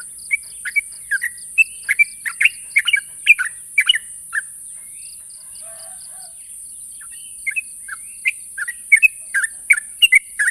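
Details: Sooty-headed bulbul challenging a rival: chattering strings of quick whistled notes, a pause with a brief low murmur, then more bubbly chirping, over constant high-pitched hiss and a faint pulsing tone.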